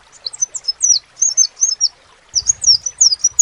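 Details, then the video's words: High, sharp, falling notes from a crimson sunbird in a loose twittering run, briefly pausing before a quicker burst. A faint low rumble joins in the second half. "SEPAH RAJA TERNYATA MEMPUNYAI KELEBIHAN DARI SEGI SUARA NYA YANG KHAS"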